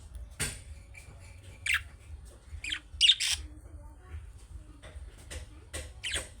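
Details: Calling chirps of young budgerigars, the kind other budgies quickly answer: a few sharp, squawky high notes spaced irregularly between quiet gaps, two louder ones close together midway, with a faint low background hum.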